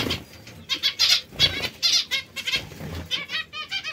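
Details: White zebra finch, kept with society finches: a quick run of short nasal beeping calls with stacked harmonics, about one every quarter second, several birds overlapping, with soft wing flutters and low rustling underneath.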